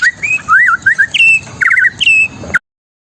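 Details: Long-tailed shrike, a kept songbird, singing 'trotol bongkar isian': a run of clear whistled notes that bend up and down, a short buzzy trill, then a sustained whistle and a harsh ending burst before abrupt silence.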